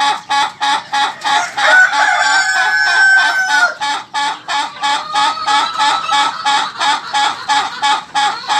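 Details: Laughing chicken (ayam ketawa) crow: rapid chuckling syllables, then a drawn-out sustained crowing note of about two seconds, then a return to the fast, regular laughing pulses at roughly three per second.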